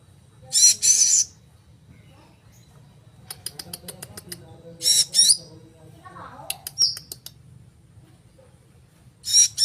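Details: Blue-crowned hanging parrot uttering short, sparse bursts of thin, shrill high notes, separated by longer quiet stretches with scattered sharp clicks and faint low rustling.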